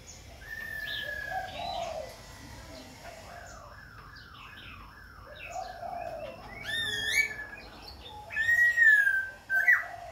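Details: Khe Sanh laughingthrush singing and dancing while continuously switching voices: varied whistled phrases, a run of quick repeated descending notes midway, then loud rising and falling whistles with bright overtones near the end.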